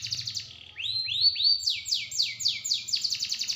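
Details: Masteran song of a small bird with sharp, rough shots: three rising slurred whistles, then rapid high downward-sweeping notes in a quick rhythmic series, with a soft low hum beneath.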